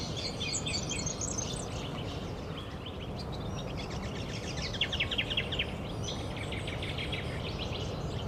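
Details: A Variegated Fairywren in Australia gives thin, high, fast reeling trills in several bursts, rising and falling, over a steady low rumble of wind or traffic.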